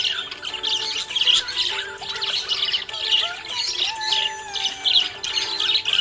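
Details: A happy budgie chirps nonstop for several seconds in a dense, buzzy warble of quick chattering notes and little squeaks, with a few longer whistled slides and steady low background tones.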